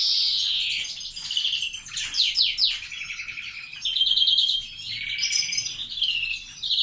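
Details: A captive-bred greenfinch of the grey-wing mutation sings a mix of quick descending chirps, ringing trills and sharp twittering notes, phrases changing every second or so.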